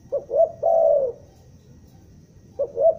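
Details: A spotted dove lure bird from Bandung, Indonesia, calls in the "gagap" stutter style. Two stuttered short notes lead into one sustained, hollow coo that fades downward, and a second phrase begins just afterwards.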